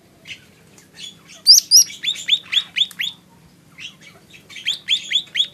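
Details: Lesser green leafbird giving bright, whistled upslurred chirps in quick groups, some very high sweet notes at the start, then a pause before another chirping run.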